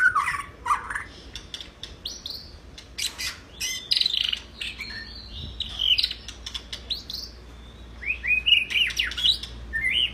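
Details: Actively singing white-rumped shama used as a tutor recording for other birds: bright varied chirps and whistles in short bursts, some high and clipped, separated by brief gaps.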